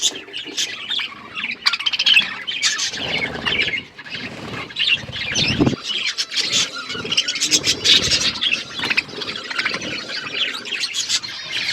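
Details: Budgies eating and chirping in a flock, a steady jumble of high squeaky calls with some scratching and rustling sounds underneath.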